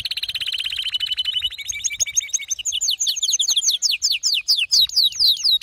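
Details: A male canary in a frenzy of song opens with a steady rapid trill, then breaks into quick, varied, sliding chirps that grow louder and more widely spaced toward the end.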